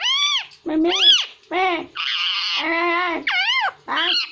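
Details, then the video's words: ['Hindi-speaking pet parrot producing a run of loud, word-like syllables, strongly harmonic with rising and falling contours, one longer buzzy, flat segment in the middle.'] "Parrot Talking| Einstein My Cutest Hindi Speaking And Talking Parrot"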